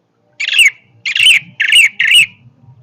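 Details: Four loud, harsh, buzzy phrases from an orange-headed thrush, each about a third of a second long and spaced evenly, with a faint low hum underneath.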